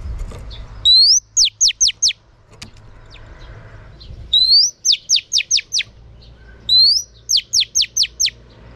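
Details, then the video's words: Female oriental magpie-robin singing to stimulate males: three phrases, each an upward whistle then a rapid series of four to six sharp falling notes, over a low hum. "Choè than mái kích trống hay nhất"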